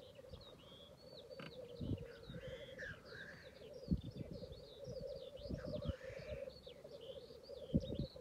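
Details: Black grouse giving a continuous low bubbling, cooing rumble that runs throughout, broken by loud hissing sneezes, with a chorus of high whistling calls from other birds above it.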